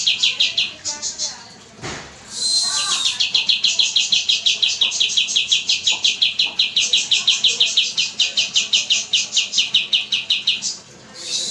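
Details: Oriental white-eye song used as a master recording for training cage birds, long and clear: fast, high, chattering notes repeated about three times a second in a sustained run, after a brief scratchy opening.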